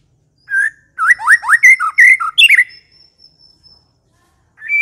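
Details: White-rumped shama lure song: one whistled note, then a fast tumbling sequence of rich varied whistles, a thin high trailing tone, near silence, and one more whistle at the end.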